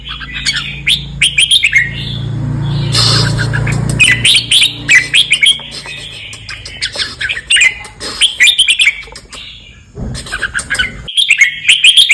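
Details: Red-whiskered bulbul, southern Thai 'boen 234' song style meant for copying: repeated short fluty, chirping phrases in bursts about every second, with a low rumbling hum around the third and fourth seconds and brief gaps.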